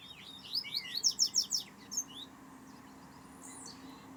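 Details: Double-collared seedeater giving carioca-style song: about six fast, sharply down-slurred high notes in a tight rhythmic burst, then a single note and a fainter distant phrase, with low background hum.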